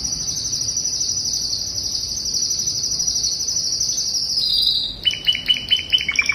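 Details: Classic Spanish Timbrado canary song meant to teach young birds: a long, high, even rolling trill held for several seconds, dropping slightly, then a burst of lower, faster clicking notes.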